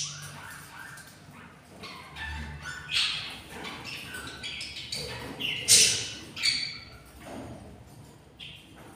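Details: Albino pair of pet budgerigars with seven eggs, four hatching; harsh broadband squawks and chatter in irregular bursts, loudest near the middle, with softer chirps between, indoors.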